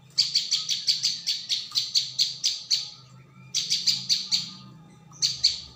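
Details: Prinia known locally as ciang or prenjak bawah, recorded as a lure: a long rapid string of about a dozen sharp, high-pitched chirps, a pause, then two shorter chirping bursts.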